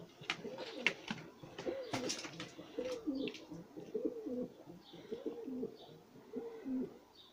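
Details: Homing pigeon squabs close to feeding on their own, indoors. Soft, low, wavering cooing and grumbling notes repeat roughly once a second, with faint clicks and rustling.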